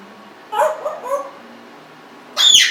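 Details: Indoor pet Congo African grey parrot, 1.5 years old, gives soft low murmured notes, then a sharp high squeaky call at the end.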